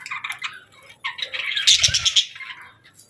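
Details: Parakeet chirping: short bursts of twittering chatter, rising to a louder run of rapid scratchy notes in the middle, then fading, with a low thump underneath.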